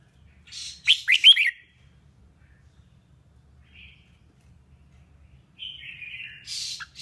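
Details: Female red-whiskered bulbul song meant to stir up males. Three bright rising chirps sound early, then near silence broken by a faint note, and a buzzy harsh burst with a sliding whistle ends it.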